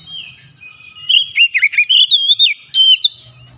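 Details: Oriental magpie-robin (kacer bahan, a raw untrained bird) delivering a short gacor phrase: a thin lead-in whistle, then a quick cluster of clear, twisting whistles and a final high slur, low hum beneath.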